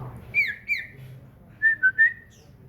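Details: Singing caged common iora: two bright slurred whistles falling in pitch, a short pause, then three quick clear whistled notes alternating slightly lower and higher, over a low hum.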